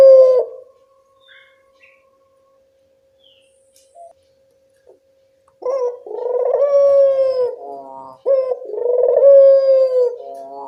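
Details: Local collared dove lure call: a short coo at the start, five seconds of near silence with a faint steady hum, then two full rolling coo phrases with long sustained notes.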